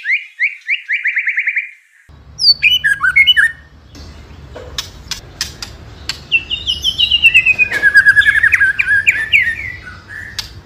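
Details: White-rumped shama song used as a tutor recording for training young spotted shamas: a fast buzzy trill, a brief break, then varied rising and falling whistles and sharp chips over a low background hum.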